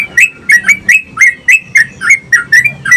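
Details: Continuous yellow-vented bulbul song meant to stimulate other bulbuls: rapid bubbly chirps, around eleven in three seconds, each note slurred and slightly buzzy, with a faint low hum beneath.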